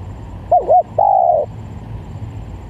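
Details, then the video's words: Spotted dove lure call, a quick pair of rising-falling coos followed by one long sustained hooting note, then quiet with low background rumble. "Pikat Tekukur"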